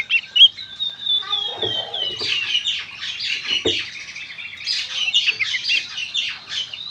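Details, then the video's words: Oriental magpie-robin singing energetically in gacor konslet style, intended to encourage other magpie-robins to sing. A long run of fast whistled and buzzy notes, rich and continuous, with a few dull knocks in the background. "suara burung kacer gacor konslet"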